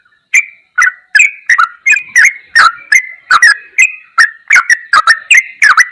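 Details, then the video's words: Yellow-vented bulbul singing ropelan goklikan master song: a brisk, regular string of liquid chirps, almost three per second, each slurring downward with sharp overtones, no other sounds. "MASTERAN TRUCUKAN TERBAIK || ROPELAN GOKLIKAN TOP"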